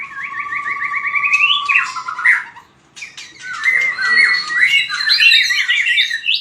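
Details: White-rumped shama training for fighting song: a rising stepped trill over a steady low whistle, a brief pause, then fast bouncing whistled notes climbing higher.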